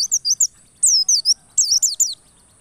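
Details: White-eye song used as a lure to make other white-eyes sing with full emotion: bursts of high, fast, twittering notes in three quick clusters separated by short pauses, with a steady faint high hiss behind.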